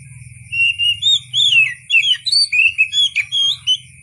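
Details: Oriental magpie-robin in a natural, wild-like recording, giving loud, varied whistled notes and chattering slurs in quick succession, with a soft low rumble and steady high tones underneath.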